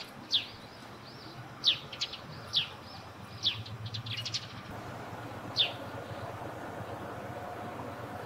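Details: Eurasian tree sparrow near its nest on a roof, giving sharp high chirps, six spaced irregularly over eight seconds, each a short bright note over a quiet outdoor background.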